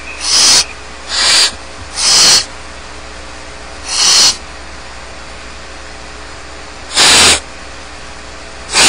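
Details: Barn owl nestlings at Starr Ranch, without adults present, hiss out a quick cluster of four begging screeches, then a pause of nearly three seconds before two more.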